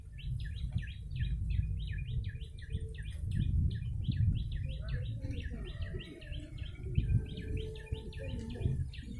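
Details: Yellow-bellied prinia calls used to lure birds: a fast run of sharp, downslurred chirps repeated several times a second for the whole stretch, over a steady low rumble of background noise.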